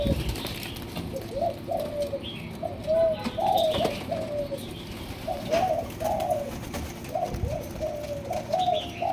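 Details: A two-month-old Malaysian spotted dove gives soft, low, hollow coos in short repeated phrases every second or two, over a steady background hum.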